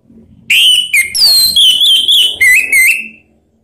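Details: Orange-headed thrush calling to get other birds to join in singing: a run of loud clear whistled phrases, some sliding down, others wavering, with brief gaps over about two and a half seconds.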